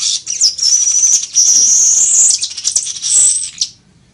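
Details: Song of a village weaver, called chichiguao locally, recorded for training birds to sing: a loud, continuous buzzy, sizzling high chatter lasting over three seconds, wavering slightly, then stopping abruptly.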